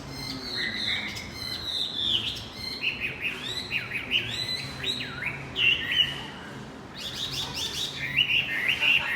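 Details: Javan white-eye singing as a lure for a male bird that went quiet: a busy stream of high, varied twitters and chirps, somewhat soft and continuous with rising flourishes.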